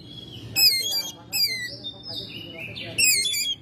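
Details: Oriental magpie-robin kept at home, May: loud bursts of harsh chattering alternate with long sliding whistled notes, phrases repeated about every second.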